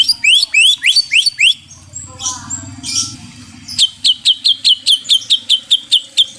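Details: White-rumped shama played as therapy for stressed caged birds: quick rising whistled notes in a series, a brief noisy pause with low background rumble, then a steady run of sharp repeated high chips.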